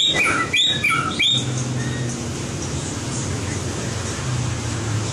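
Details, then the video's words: Competition-trained white-rumped shama giving a quick cluster of bright, loud whistled phrases in the first second and a half, then near quiet with background hum. "Luyện giọng chòe lửa - luyện chòe lửa hót đấu (murai batu)"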